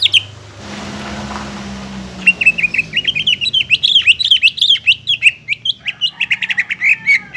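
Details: Greater green leafbird song used to encourage a lazy bird to sing again: a hiss of background noise with a low drone at first, then a lively run of varied, quick chirps and slurred notes.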